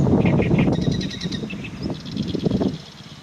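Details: An Oriental reed warbler sings harsh, grating notes in quick repeated bursts, several per second, in an unedited recording with no background music, over a steady low rumble of wind noise.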